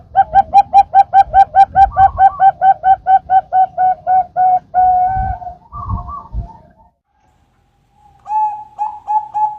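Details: Zebra dove, Bangkok and local types, singing steadily as a trapping lure: a fast run of about twenty short, even, whistled coos, then drawn-out notes and a gap before the coos resume, over low rumbling noise.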